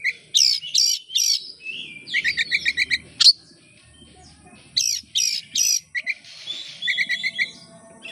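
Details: Oriental magpie-robin (kacer) kept as a songbird, singing loudly as a lure to start other birds singing: sharp high whistles, runs of quick repeated chirps and harsh notes in bursts separated by short pauses, with faint low background noise.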